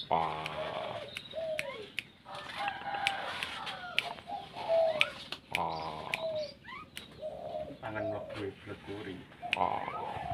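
Zebra dove giving soft, rolling coos of quick staccato notes, repeated in phrases every second or two, with sharp clicks and thin chirps from other birds behind.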